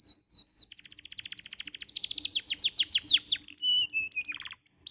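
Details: Canary song meant as tutor song for other canaries: a long accelerating trill of repeated sweeping notes, followed by flat held whistles and a short descending buzzy run.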